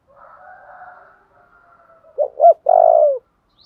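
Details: Spotted dove (chim cu gáy) cooing, a recording used to train and stimulate decoy birds, with urging and calling coo styles: faint low warbling at first, then two short coos followed by one longer, louder rolling coo.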